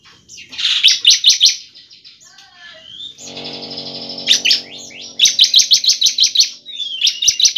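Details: Bar-winged prinia song used as a lure to prompt prinias to sing: bursts of rapid, high, sharp chirps repeated in quick trills, several rapid phrases with short pauses, a low hum in the middle.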